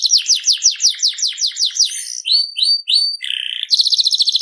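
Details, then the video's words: Canary in full song: a fast series of repeated descending whistled notes, then a few upslurred whistles, a short buzzy rattle and a rapid high trill. "BURUNG KENARI SERI FI GACOR"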